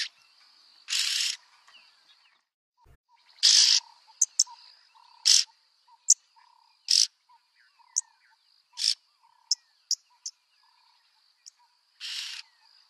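Yellow-billed oxpecker giving harsh, hissing rasps, some drawn out and others clipped short, at irregular intervals over a steady high insect drone.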